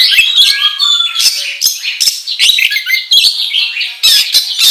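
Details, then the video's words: Used to draw out other oriental magpie-robins, this kacer song is dense and restless. Scratchy buzzes, whistles and chirps overlap almost without a break. "Pancingan Kacer Gacor Ngobra Menggila"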